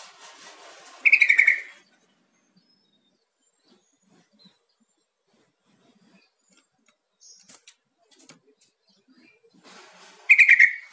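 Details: Yellow-vented bulbul call for stimulating a quiet pet bird to respond; two loud, fast, bubbly chatter bursts about nine seconds apart, with faint clicks and a brief high note in between.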